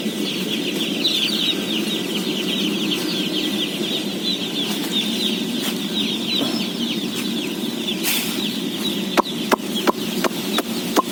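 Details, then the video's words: Thousands of day-old chicks at feeding time, roughly 17,000 birds, keep up a continuous shrill peeping chorus over a low rumble, with sharp clicks and taps becoming frequent toward the end. "BABY CHICKEN SOUNDS"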